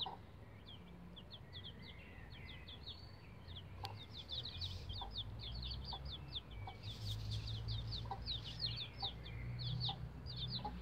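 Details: Several bantam Rhode Island Red chicks, around 11 days old, climbing a chicken ladder: a dense stream of shrill, falling cheeps, many birds overlapping, broken by dull knocks and a sharp click, over a low rumbling background.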